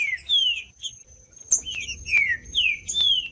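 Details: Bright whistled phrases from a green-winged saltator, each note gliding downward, about two per second, with a faint steady high tone behind; played to make a cold bird start singing.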